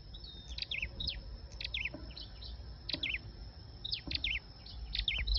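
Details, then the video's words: Lively flowerpecker lure song: dense high ticks, brief whistled strokes and falling twitters in rapid clusters, louder toward the end, over a thin steady tone. "Tiếng sâu đầu đỏ mồi"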